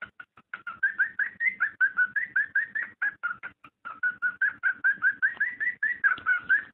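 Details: ['Cockatiel calling to stimulate mating: continuous quick chirping with repeated whistled notes, some rising, delivered without a break for nearly seven seconds.']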